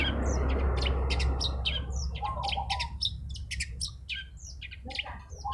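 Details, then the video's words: Long-tailed shrike in full song, meant to anger rival birds: fast varied chattering, harsh notes and mimicked chirps, roughly three to four per second, over a steady low rumbling background noise. "cendet gacor bikin lawan cepet emosi"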